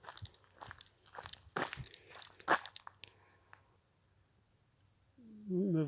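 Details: Crunching, crackling footsteps or handling noises, then a brief stretch of a human voice at the end, with no animal calls.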